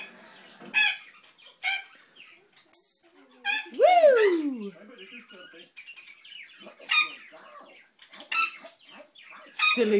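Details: Pet African grey parrot making a strange noise, going from tick tock to banging, construction-type sounds; sharp clicks and knocks, a descending whistled squeal, with a woman talking to the bird.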